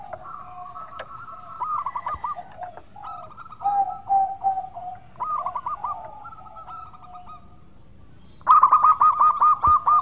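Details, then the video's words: Local zebra dove singing actively with a sweet voice, used as a lure to draw other doves into song. Mellow cooing phrases end in rapid rolling trills, overlapped by other coos, with a louder trilled burst near the end. "Pancingan Perkutut Lokal Gacor Suara Merdu"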